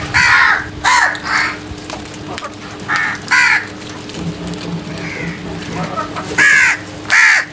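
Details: Crows calling loudly in the early morning, harsh caws with stacked harmonics arriving in short bursts and pairs across the stretch, over a steady low hum and faint background noise.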